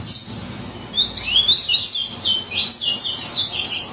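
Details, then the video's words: Coleiro baiano, a yellow-bellied seedeater, in excited song: after a brief high note, a continuous run of quick rising and falling whistled chips for about three seconds. "Coleiro Baiano Alucinado"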